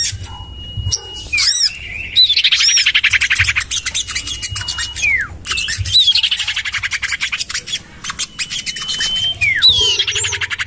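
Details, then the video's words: Common iora lure recording, tested in a garden beside a house: long level whistles followed by downward-sliding slurs, mixed with rapid buzzy chatter and sharp chirps from other birds. "Suara pikat burung sirtu cipoh terampuh sepanjang masa"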